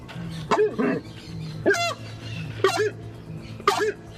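A Horned Screamer gives loud, goose-like honks that rise then drop, four in quick succession about a second apart, over a low steady hum.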